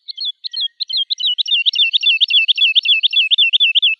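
Woodlark song: a fast, liquid series of fluty 'lu-lu-lu' notes, starting spaced and accelerating into a rapid rolling trill. No other sounds.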